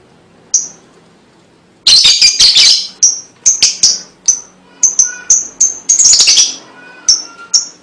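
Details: Lovebird song meant to lure young birds: one lone chip, then harsh, stuttering chatter that breaks into a lively string of high chips and short rasping bursts, with faint lower whistles.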